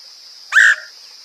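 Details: Woodpecker call used to lure birds: one loud, harsh, slightly buzzy note lasting about a quarter second, over a steady high-pitched insect drone.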